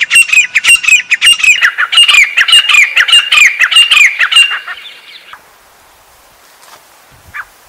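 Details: Shrill high-pitched calling of a grey francolin in Pakistan, a rapid series of harsh, ringing notes for nearly five seconds that ends abruptly, followed by quiet with faint background sound.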